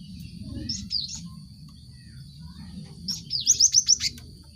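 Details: Cinereous tit song used to get caged birds singing. A brief pair of whistled notes, a pause, then a quick run of sharp rising-and-falling whistles. A constant thin high tone and low background rumble are present.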